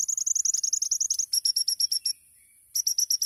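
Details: Rapid rattling 'tembakan' song of a champion olive-backed sunbird (kolibri ninja) in masteran style: a fast string of sharp high chips, a slightly slower series, a short pause, then more chips.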